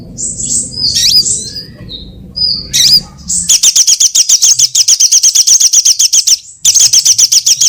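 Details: High sunbird lure call for trapping: a few thin sweeping chirps, then a long run of sharp, evenly spaced high notes repeated about four times a second, briefly paused before resuming.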